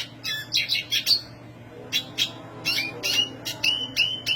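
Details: Energetic high-pitched song of a black siskin: bursts of bright chirps and short buzzy phrases, then sweet thin whistled notes near the end, pausing briefly between bursts over a quiet hum.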